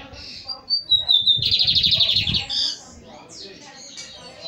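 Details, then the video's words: Song of a young, promising male Lined Seedeater finishing its moult: clear high whistles step down into a loud, rapid buzzy trill, followed by short chirps and softer notes, with faint low background noise. "Bigodeiro promessa saindo de muda"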